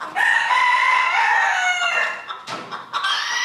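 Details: Rooster crowing at a 2022 crowing contest held by a small-livestock breeders' club in Villers-la-Ville: one long, loud, harmonic crow lasting about two seconds, steady then fading, followed by the start of another crow after a short pause.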